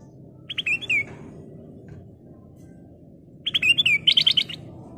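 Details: Black-crested bulbul (kutilang emas) in lively gacor song: two short bright whistled phrases, the second longer and ending in a quick run of notes, separated by about three seconds of quiet with a low background hum.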